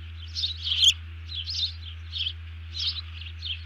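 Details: Alerting bald eagle that has just grabbed a fish, recorded 31 July 2020; five short bursts of high, shrill piping spaced about half a second apart, over a low electrical hum.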